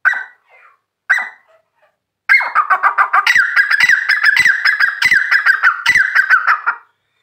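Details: Grey francolin calling: two brief harsh notes, then a loud, steady run of rapid, raspy repeated notes lasting over four seconds before stopping abruptly.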